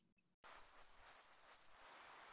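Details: A Brown Creeper sings its 'trees, trees, beautiful trees' song, a thin, very high, sweet phrase of about five notes over 1.4 seconds, slurring down then rising at the end; nothing else is heard.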